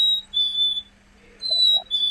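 A Black-capped Chickadee's clear, pure whistled song: long sweet notes, the later one sliding slightly lower, often rendered 'hey sweetie', over a faint low hum.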